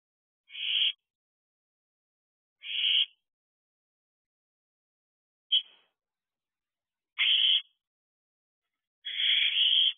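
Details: Owlets in an owl box, filmed unedited at 2:12 am on 2 July 2023: harsh hissing screeches, each about half a second long, repeated roughly every two seconds against a silent night background.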